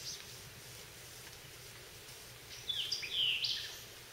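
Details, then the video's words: Wood thrush singing in a holler on 20 June 2014, following a white-eyed vireo: a single fluty phrase of clear rising notes ending in a quick ringing trill, after a few seconds of faint outdoor hush. "songs of the white-eyed vireo followed by a wood thrush are prominent"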